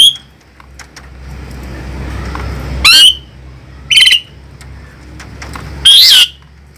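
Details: Asian pied starling, described as fierce, giving three loud, harsh squawking notes spaced a second or two apart over a low background hum.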